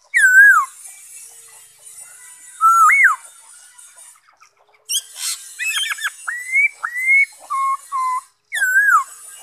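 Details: Black-throated laughingthrush singing on 5 May 2021: loud slurred whistles, some falling and some rising, alternating with shorter clipped notes and brief harsh bursts, spread over about nine seconds.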